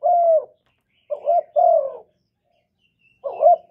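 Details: Spotted dove calling, used to rouse newly kept doves into singing: mellow low coos, a drawn-out falling note, then a short note joined to a longer slurred coo, a silent gap, and a final burry note; no other sounds.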